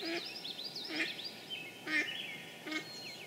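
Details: Mallard quacking in Sudbury, Massachusetts, on 9 May 2013 in spring: four short, nasal quacks spaced under a second apart, over steady whistled and chirping songbird song and a low background hiss.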